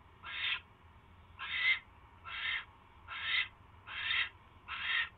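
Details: Owl around the time it catches a mouse, recorded on 28 January 2016 at 10:21 PM: six harsh, rasping hissy bursts, each about half a second long, repeated roughly every second over a low steady hum.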